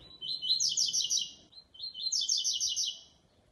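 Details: Double-collared seedeater giving a special song in a singing show: two fast phrases of high, sharp, rhythmic chirped notes, each about 1.3 seconds long, separated by a short pause.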